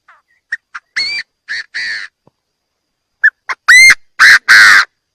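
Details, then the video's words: Chinese francolin call, clean lure recording for bird trapping. Two phrases are heard. Each opens with short ticking notes and ends in a ringing note plus two harsh, grating, prolonged notes. The second phrase is louder and fuller. "Tiếng chim đa đa gáy chuẩn"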